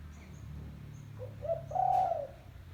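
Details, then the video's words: Spotted dove giving a lure call: two brief low coos followed by a longer, steady hooting note, with a faint click near the end and low background rumble. "Suara Burung Tekukur Kampung - Suara Panggilan Pikat Terkukur"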